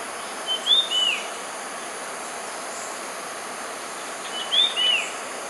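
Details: Red-eyed bulbul giving two short whistled phrases about four seconds apart, each a quick rising note followed by a slurred falling note, clear above a steady high background hiss.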